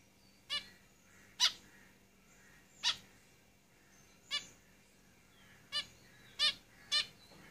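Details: Seven clear, short, nasal trumpet-like beeps from caged zebra finches, irregularly spaced about a second or so apart.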